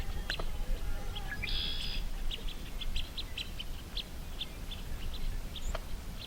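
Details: Flock of blue-winged teal (Spatula discors) on a lily-covered lake giving thin, high peeping whistles, scattered and repeated through the flock, over a steady low rumble of wind and water.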